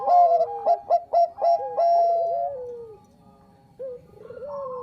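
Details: Zebra dove of the Bangkok type as a lure: rapid loud coos, about four a second, run into a long wavering note, then quieter rolling coos from other doves.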